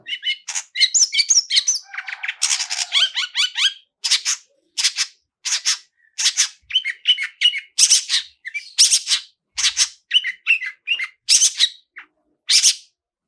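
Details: Varied long-tailed shrike "toet toet" lure song meant to set a bird singing: a long run of sharp chips, raspy bursts and paired whistled notes, fast at first, then more spaced out.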